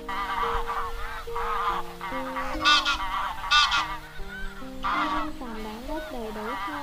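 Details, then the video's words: Wild geese give loud, nasal flock-gathering honks in quick bursts, several per second, played as a lure call for netting geese, with a steady, stepped musical drone underneath. "Tiếng Con Ngỗng Trời Kêu Gọi Bầy"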